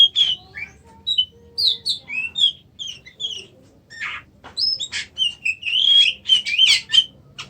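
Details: Clear song of a kacer (Oriental magpie-robin): clusters of high whistled and chirping notes separated by brief gaps, ending in a rapid, rich whistled phrase with buzzy accents, over near silence.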